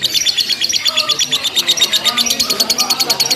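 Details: Rapid lovebird ngekek during a simulated singing contest: bright, high chattering notes tumbling out in quick succession, strongly pulsed and continuous across the whole stretch.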